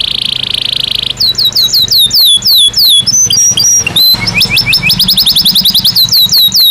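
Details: A sustained buzzy high note gives way to a Belgian canary's rapid rolling trills of slurred whistles, the note shape changing several times, sung naturally.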